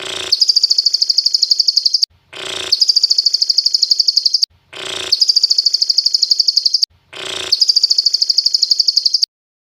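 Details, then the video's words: Mastering recording of a lovebird copying the cililin (Sunda bulbul) song, dated Monday 12 December 2022, 22:28. Four near-identical phrases, each a rough noisy burst leading into a steady high chattering trill, divided by short gaps. "mastering love bird kerasukan burung cililin"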